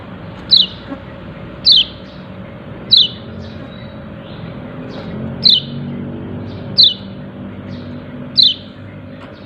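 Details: "Ciak ciak" calling by a yellow-breasted white-eye, seven sharp falling chirps at irregular intervals with a quieter note between them and a continuous low hum.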